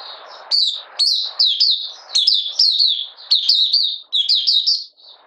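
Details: A Malaysian Oriental white-eye in minor moult sings a rapid, high-pitched run of twittering, sliding notes in bursts, with faint room noise between phrases.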